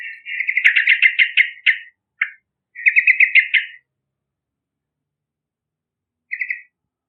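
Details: Yellow-vented bulbul calling energetically, used to lure other birds: long rapid runs of rattling chatter notes, a lone note, another fast run, then a short burst after a long silence.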